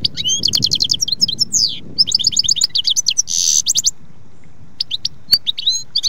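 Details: A European goldfinch sings rapid, high, tinkling twitters and a buzzy rattling trill, with a few sharp clicks in the background and sparse notes toward the end.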